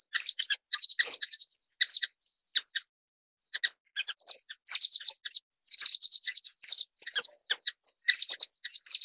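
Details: Orange-cheeked waxbill, Estrilda melpoda, chattering in high, sharp tweets run together into busy bursts, with a clear half-second gap near the third second before the twittering resumes.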